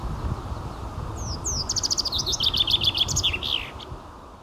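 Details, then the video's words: Common chaffinch in May 2022 sings one bright, rattling phrase: high notes speeding into a fast trill, then dropping lower and ending in a sharp flourish, over a low rumble. "Трель зяблика"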